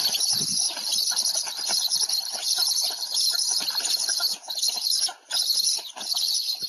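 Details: Steady, rasping, hissy calling from a Black stork at an afternoon feeding in Łódź on 20 July 2020, pulsing rapidly, with two brief dips in loudness near the end.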